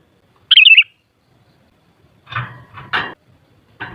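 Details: Sooty-headed bulbul, played to stir up other bulbuls and draw answering song. It opens with a brief, bubbly, warbled phrase of quick wavering notes, followed by several harsh, broad, noisy bursts at irregular intervals.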